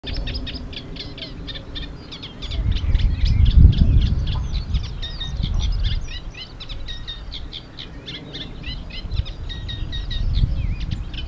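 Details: A Eurasian reed warbler (Acrocephalus scirpaceus) singing at Mechelen, Belgium, on 2 May 2024 gives a steady, jerky chatter of repeated scratchy notes, several per second, against a low rumble of wind.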